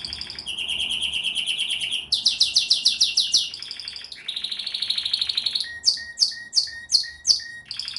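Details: Pleasant canary song built from a fast rolling trill, a louder buzzy section, a bright high rattle, then a run of separate downward-sweeping chirps at a steady pace.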